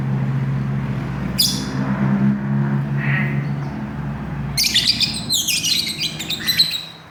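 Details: Lovebird chick giving melolo calls. A sharp high chirp comes first, then a rapid run of buzzy, squeaky notes for about two seconds near the end, over a steady low hum.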